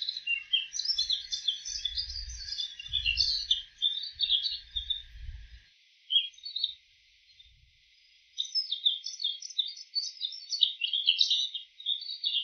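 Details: Mimicry by a bull-headed shrike: long bouts of rapid, varied high chatter, a pause with a lone note, then more twittering; low rumble underneath the first half.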